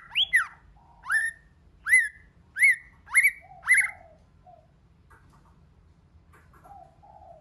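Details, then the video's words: White-rumped shama repeating one loud, upswept, ringing note six times, about once every 0.7 seconds. After that come a few faint, quiet low whistles and some silence in a multi-voiced song. "Kích Chòe LửA HóT,chòe lửa hót nhiều giọng"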